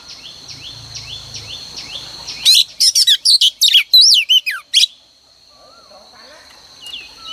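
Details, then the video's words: A female oriental magpie-robin's morning decoy song for rousing males: soft repeated high whistles at first over a low hum, then a loud two-second flurry of varied chirps and whistled slurs, fading to faint notes. "Kích choè than trống cực căng mỗi sáng | Choè than mái mồi quá hay"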